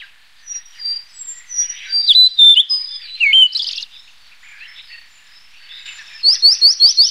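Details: Blue-and-white flycatcher giving varied clear whistles, curved slurred notes and a buzzy burst midway, ending with a quick run of five rapid repeated upslurred notes; otherwise quiet surroundings.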